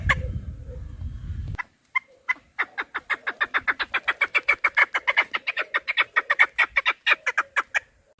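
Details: Chukar partridge, a recording meant for hunting. After a second and a half of low rumbling noise, a few spaced clucks build into a rapid, steady chuck-chuck series that runs to the end.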